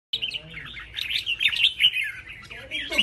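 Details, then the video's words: Red-whiskered bulbuls competing in a singing contest: dense, bright warbled phrases of chirps and whistles run almost continuously, with sharper notes piled on top and faint low background murmur. "CHÀO MÀO ĐẤU HÓT"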